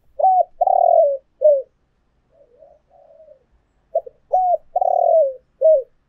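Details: Spotted dove, urging and calling coos used as a lure. A rough drawn-out coo and a short falling note, then soft low murmuring, then the full phrase again: clipped note, level coo, long burry coo, dropping coo.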